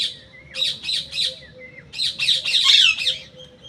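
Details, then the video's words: Rapid series of grating parrot squawks, three quick notes, a brief pause, then a denser, louder cluster of rasping calls mixed with thin whistled tones. "Raw parrot"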